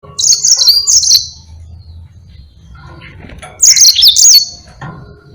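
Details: Yellow-fronted canary singing in lively, long rolling form: two bursts of rapid, high, twittering trills with quick up-and-down slurred notes, separated by a quiet gap with faint low background hum.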